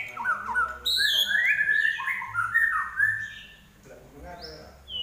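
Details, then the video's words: Energetic Common iora song: quick chains of clear whistled notes stepping up and down, some sliding upward, with brief high sharp notes, then a softer pause before one more high whistle. "larwo Gacor"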